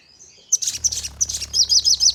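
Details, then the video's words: Lure song of the sogon, or crimson sunbird, for making birds respond: a soft high note, then a quick jumble of bright, shrill chips run into a fast twittering stream over light low hum "Burung Sogon Untuk Pancingan Dengan Nembak Dan Ngleper"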